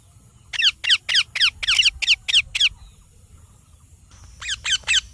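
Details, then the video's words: Parrot gives a steady run of about nine rasping descending chirps, regularly spaced, then after a pause three more chirps. "Parrot Chirping Sounds / Voices"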